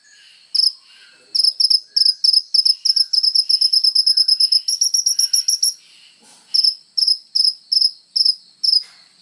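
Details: Kolibri ninja sunbird full of varied phrases, intended to tutor songbirds: isolated high chips accelerate into a long, rapid series of piercing notes, then slow again to evenly spaced single chips.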